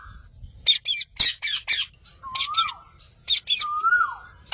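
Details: Parrot voice: clusters of coarse squawks, then drawn-out whistled notes that rise slightly and fall away at the end, alternating with more squawking.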